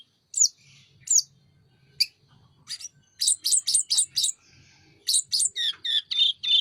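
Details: Sunda robin, called mountain tledekan, in lively full song with wings opened: sharp descending whistles spaced about a second apart, then a rapid string of bright chopped notes and slurred down-sweeping phrases.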